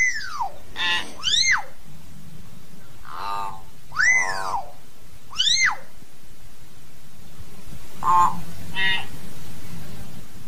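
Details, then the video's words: Common hill myna calling the flock: loud, ringing arched whistles with a few gurgling, nasal notes, about eight calls in ten seconds at an uneven pace, over a low background hum. "Tiếng Nhồng hót, tiếng Yểng hót gọi đàn"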